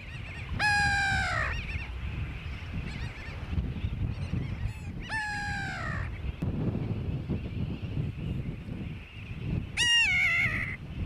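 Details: Grey-backed tern (Onychoprion lunatus) on Johnston Atoll, 16 June 2001, giving three harsh, nasal, downslurred calls about five seconds apart over a steady low rumble of wind or surf.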